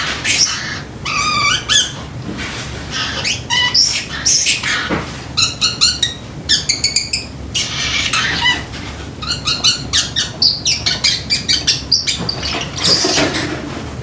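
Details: Indoor pet Pacific parrotlet imitating a timer: repeated runs of ringing, beep-like notes in quick rhythmic clusters, mixed with squeaky chirps and short squawks.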